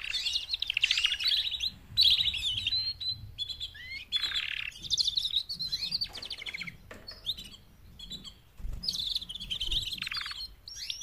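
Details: Mating calls of four female canaries used as training to make a male sing. Long stretches of rapid rattling trills and chatter, broken by short pauses and sliding whistles, with faint low background knocks.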